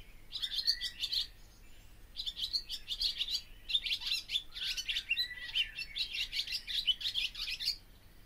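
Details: Barn swallow singing: fast runs of dry clicks and twittering notes, high and buzzy, broken by brief gaps, with a few lower gliding whistles near the start.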